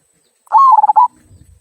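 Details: A single "kung" song phrase from a local zebra dove, used to get other birds singing: a short rising coo breaking into a fast bubbly series of pulses, then a faint low rumble.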